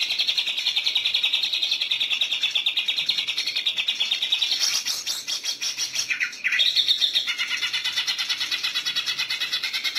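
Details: Greater green leafbird kept for contest training, singing a rapid, continuous stream of high, buzzy trilled notes, dense and unbroken, with a brief lower dip partway through.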